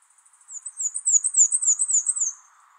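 Black-and-white Warbler song: a very high, thin, squeaky 'wee-see' pair repeated about eight times in quick succession, lasting around two seconds.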